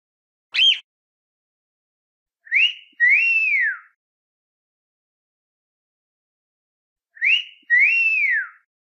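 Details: Cockatiel singing: a short sharp upward chirp, then a pair of clear arched whistles, the second longer and falling away, repeated after about four seconds of silence.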